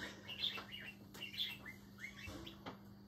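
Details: Pet budgerigar perched on its cage, singing excitedly at a piece of paper a person pretends to fly: soft twittering chirps and quick rising-falling warbled notes over a steady background hum and room noise.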